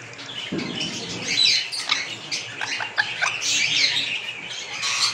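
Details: A sun conure being fed mango gives harsh, scratchy squawks and short chattering bursts in an irregular series.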